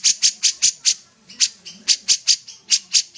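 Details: Common iora in lively song: loud rasping chips in quick groups of three to five, separated by short pauses.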